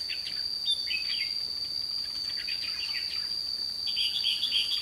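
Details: Red-whiskered bulbul singing during bird trapping in Thanh Liêm on 29 May 2016; short whistled, warbling phrases come in bursts, set against a loud, steady high insect drone.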